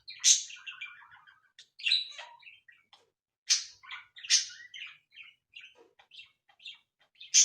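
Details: Cockatiels kept as ornamental cage birds chatter in loud, rasping chirps mixed with softer warbling notes, in irregular bursts separated by short gaps.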